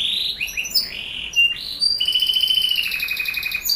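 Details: Canary song meant to prompt young canaries to sing, with varied whistled slides and warbles followed by a long, steady rolling trill that drifts slightly downward, bright and close.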